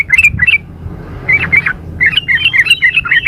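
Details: A female yellow-vented bulbul, played as a lure, calls the male. Three groups of fast twittering, chattery notes are separated by brief gaps, over faint background hiss.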